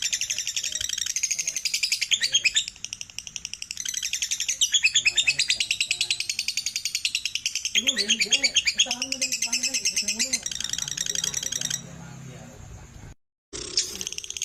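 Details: Lovebird chattering to coax other lovebirds to sing: long bursts of high, rapid, squeaky pulses with short breaks, a person talking quietly partway through, and a brief silence near the end.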